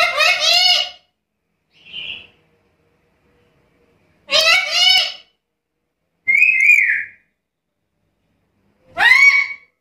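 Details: Vocal black-capped lory giving a varied series: harsh, stacked, chattering phrases, a short soft note, a clear falling whistle and a rising whistle, spaced irregularly over ten seconds, in an indoor-sounding space.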